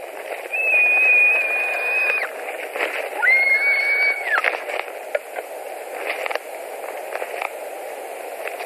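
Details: At a nest in Latvia, 16 July 2020, where White-tailed eagles feed on fish: two long, thin, level whistled calls, then softer clicks and rustling against steady background noise.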